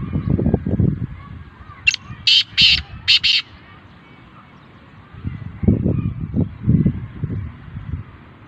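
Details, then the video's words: Kala teetar, the black francolin, utters a single scratchy five-note phrase: a short click-like note then four rasping bursts in quick succession, set between bouts of low thudding noise. "black francolin voice"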